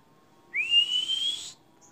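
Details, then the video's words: Canary on a long masteran training recording for songbirds, giving one clean whistled note that glides upward for about a second before stopping. "Masteran kenari durasi panjang"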